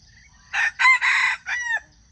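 A junglefowl gives one loud, harsh crow of four run-together phrases over about a second and a half. The last phrase drops away at the end. The background is quiet.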